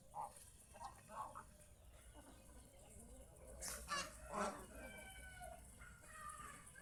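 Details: Pet geese out in the fields around a house: brief honks near the start, then a louder cluster of harsh, stacked honks around the middle, fading to quieter calls in the open-air background.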